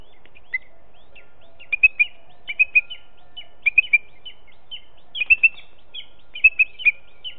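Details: Booted eagle fledgling, learning to fly, calling from the trees close to the nest on a July morning as the male delivers a mistle thrush as prey; short, sharp chirps in quick clusters of two or three, repeated through the clip.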